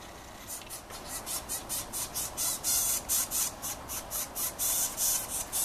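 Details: Hungry nestling Yellow-shafted Northern Flickers beg near the nest as the male brings food: harsh, hissing pulses repeated about twice a second, growing louder and more insistent toward the end.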